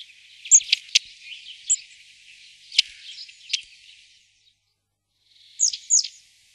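Long-tailed tit giving thin, very high notes mixed with short, sharp ticks and a soft rattling murmur. After a brief pause, a final pair of high, falling calls.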